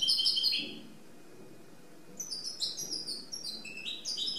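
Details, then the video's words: Goldfinch mule singing freely: a short bright twittered phrase, a second of silence, then a fresh run of rapid chirping, trilled notes. "Goldfinch Mule singing free !"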